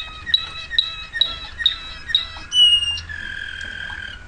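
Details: Waterslager canary giving a series of sharp, evenly spaced chirped notes about twice a second, followed by a pure high whistle and a long, softer flowing tone.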